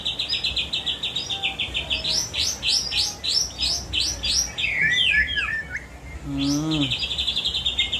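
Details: White-rumped shama song loaded with mimicked cililin, jenggot and kapas tembak material: fast runs of repeated high chirps, then a string of rising sweeps and tumbling descending notes, briefly cut by a man's voice before the chirping resumes.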